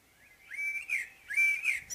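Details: Common blackbird giving its morning song: two fluted, whistled phrases, each swelling and sliding slightly upward before ending in a brighter flourish, with a short pause between them and a quiet background.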